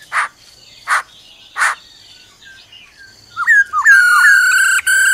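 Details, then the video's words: Black-throated laughingthrush in forest-style song alongside the female's trilling: three evenly spaced harsh rasping notes, a few short rising whistles, then a sustained buzzy, many-toned trill to the end. "Khứu bạc má hót giọng rừng kèm theo tiếng mái ro ro"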